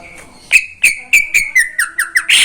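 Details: Greater green leafbird kept caged, singing in the morning: a rapid series of sharp whistled notes about every quarter second, slowly dropping in pitch, ending in a harsh burst.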